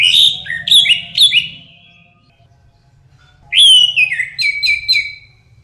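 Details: Orange-headed thrush song meant to draw out loud singing from other birds: a phrase of repeated clear whistles with descending slurs, a pause, then a second phrase of several quickly repeated notes.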